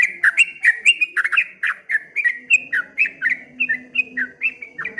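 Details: Trucuk kebo or streak-eared bulbul pouring out a ropel ngombak banyu song, dense chattering whistles that dip and rise in a rapid, wave-like stream, with a low steady hum behind.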